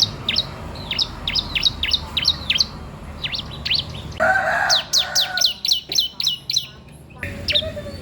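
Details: Bar-winged prinia, vigorous singer offered as a master or lure for young birds: quick runs of sharp, descending chirps, broken by a brief noisy burst, then further chirp series with short pauses.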